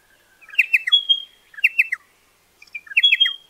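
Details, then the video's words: A pardalote gives three short bursts of bright, high chips about a second apart, each a quick run of notes ending in a thin whistled tone. "PARDALOTE SOUND"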